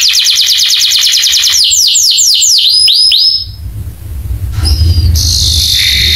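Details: Canary song used as a master for training other canaries to respond: a dense rapid trill, then about six slower downward-sweeping whistles, after which the singing breaks off into near quiet with a few faint high notes.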